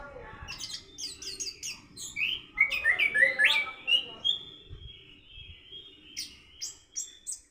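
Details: Orange-headed thrush rehearsing a 'rock and roll' song style in the morning: fast high chips give way to a run of bright, clear whistled notes, then a long thin tone and scattered chirps.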